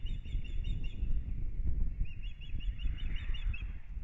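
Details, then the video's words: Ospreys at a nest in Kurzeme, Latvia, at the start of the breeding season, 9 April 2022: a pair calling, high thin whistled chirps in quick repeated series over heavy low wind rumble. "Zivju ērgļi (Pandion haliaetus) Kurzemē - Rybołowy - Vita & Teo rozpoczęły nowy sezon lęgowy"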